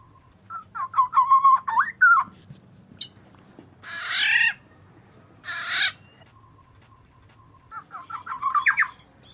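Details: Black-naped oriole lure recording: rapid bursts of choppy fluty whistled notes, two harsh nasal squawks in the middle, then another fast run of whistles, over a thin constant hum.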